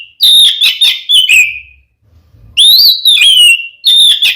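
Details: Fighting song of an oriental magpie-robin, used to make rival males angry: long ringing whistled phrases with quavering notes that step downward, then a pause before another rising whistled phrase.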